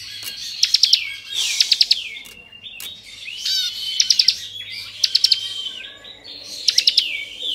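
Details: Varied 'ngebren' song of a bar-winged prinia, 'kristal' type, meant to stir up untrained prinias: short clusters of three or four sharp high notes repeating every second or so, mixed with downslurred whistles and faint background noise.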